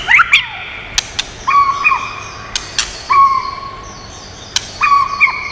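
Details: White-rumped shama song used for stimulating and training birds: a few long, steady, pure whistles held for about a second each, separated by pauses and punctuated by sharp clicks.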